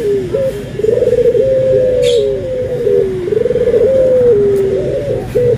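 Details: Barbary doves, white and brown birds compared: a steady, purring coo that rises, holds a level tone, then dips lower, repeated in long phrases, with a brief high chirp from another bird.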